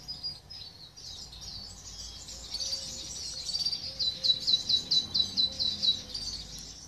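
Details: Silver goldfinch x canary mule singing, Greece 2023: a high, fast twittering warble that builds into a run of bright, evenly repeated chirping notes near the end, with a quiet low hum in the background.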